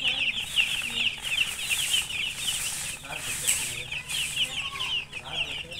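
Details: Thirsty newborn domestic chicks, dyed in colours, peeping loudly for water. Many high, piercing chirps pour out in rapid succession, forming a constant shrill chorus with faint rustling.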